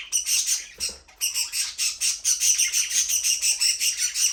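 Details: Budgerigars in an aviary, talking, singing and playing: dense, continuous high chirping and chattering from several birds, rapid overlapping notes with short whistled squeaks, briefly dipping before resuming at steady loudness.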